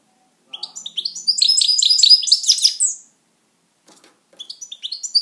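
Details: European goldfinch kept as a pet, delivering a liquid, jangling phrase of fast, high twitters lasting about two and a half seconds. A pause follows, then the bird resumes with sharp chirps.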